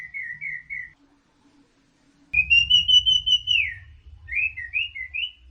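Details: Orange-headed thrush song in teler style, a short whistled trill, a silence, then a long drawn, slightly wavering whistle followed by quick rising chirped phrases, with low rumbling background noise.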